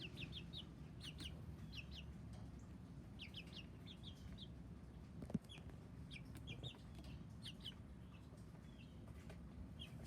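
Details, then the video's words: Several chicks giving thin high peeps, short downslurred notes in small bursts of two or three with pauses between, over constant low background hum and one sharp knock midway. "Le chicks, 🐤 (some loud noises)"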